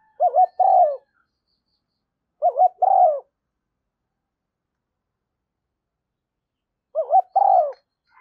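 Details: Spotted dove lure call, said to be a female decoy for attracting wild doves; three separate phrases, each two quick hoots then a longer falling coo, with long silences between.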